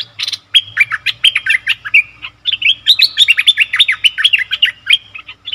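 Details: Bulbul sound for luring wild birds: almost continuous chattering of loud, sweet, slurred notes, repeated fast in two long rippling phrases with barely a break.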